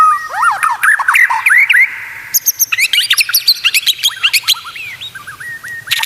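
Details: White-rumped shama song meant to tutor other shamas: fast varied whistles sweeping up and down, clipped high chips and harsh squeaky notes in quick succession, with faint low hum behind.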